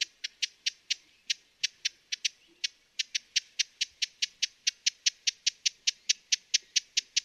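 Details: Broad-billed hummingbird calling: a long series of short, dry, high chips repeated rapidly, a few per second with brief pauses, over a quiet background.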